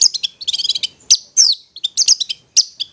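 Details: Long-tailed shrike in ngetet song style, meant as therapy for stressed or silent shrikes: a fast chattering trill of high notes, then sharp separated chips and downslurred squeaks, very high-pitched and clean.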